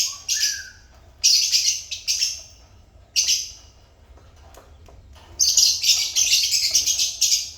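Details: Pet lovebirds chirping: a brief whistled note, then piercing scratchy chirps in short clusters with gaps, ending in a long continuous shrill chatter.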